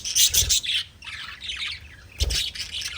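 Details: Budgerigars chirp loudly in two close bursts of harsh, high squawking chatter, separated by quieter, softer twittering.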